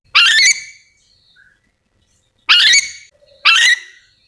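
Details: Harsh, buzzy squawks of a calling yellow-and-green lorikeet from Sulawesi: one at the start, then two close together after a two-second pause, with a faint short whistle between.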